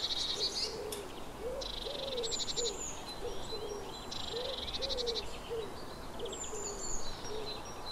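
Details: Eurasian blue tit buzzes out several harsh churrs led by thin high notes. Beneath them, another bird keeps up a long, regular run of low, soft, arched notes.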